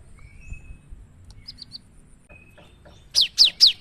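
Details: Cinereous tit song used to lure other birds, 'gacor nembak' style: soft, faint high notes and a thin tone at first, ending in three strong, sharp, descending whistles.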